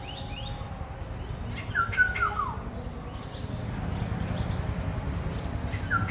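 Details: Single harsh, nasal, downward-sliding call from a black-hooded oriole, with a second call beginning at the very end, over a steady low rumble of background noise.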